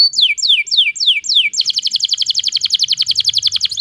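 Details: Canary song as a lure for silent canaries: five slow descending whistles followed by a rapid, even trill of short sharp notes lasting about two seconds.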